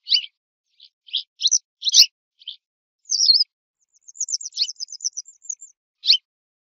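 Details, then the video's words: Western yellow wagtail opens with several sharp high chips and a wavering whistle, then runs into a long, fast, slightly falling trill of tiny ticking notes, ending with one last chip. "صوت ذعرة صفراء song call wastern yellow wagtail"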